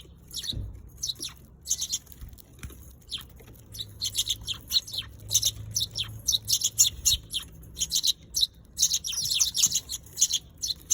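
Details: Several Eurasian tree sparrows chattering, overlapping high chirps building into a busy stream, with a low rumble and a thud early on.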